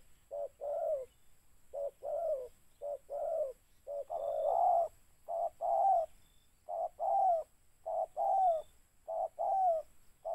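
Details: Spotted dove heard during mikat trapping, delivering repeated two-part coos, short lead notes then longer descending ones, in a steady rhythm roughly every second over a quiet backdrop.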